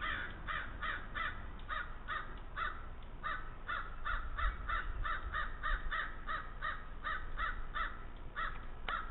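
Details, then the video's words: Harsh, rapid croaking caws from a wild crow by Lake Superior, Thunder Bay, Ontario, filmed 22 July 2010, repeated steadily two or three times a second for the whole stretch, with low rumbling background noise. "then we hear a crow croaking croak crowscream"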